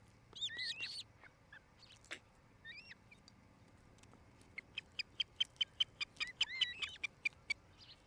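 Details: Nest-camera audio of an osprey pair in Charlo, Montana, 8 July 2018, late afternoon: curved high whistled notes at first, then a fast, steady series of short piercing chirps toward the end.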